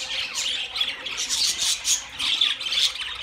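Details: Several budgerigars chattering together in a dense, scratchy warble of rapid high chirps and squeaks, overlapping without pause, with occasional sharper whistled notes rising above the flock.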